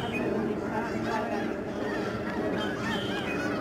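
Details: Huge flocks of lesser snow geese flying and swirling down give constant, overlapping nasal honks and yelps at the George C. Reifel Migratory Bird Sanctuary wetlands, Fraser River estuary, Delta, BC, Canada, on March 24, 2011.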